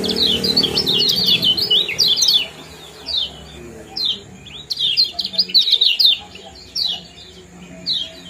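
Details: Lemon-bellied white-eye 'ciak jos' chatter for inducing breeding condition: a dense burst of high twittering chirps, a pause, then further clustered runs of sharp downslurred notes over low rumble.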